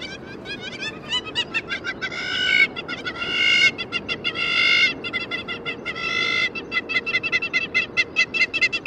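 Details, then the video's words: Hamerkop (Scopus umbretta), a South African waterbird in Kruger, giving rapid, high nasal yipping notes in fast stuttering runs, building into louder ringing bursts before trailing off into quick chatter. "Hamerkop (Scopus umbretta) Bird Call"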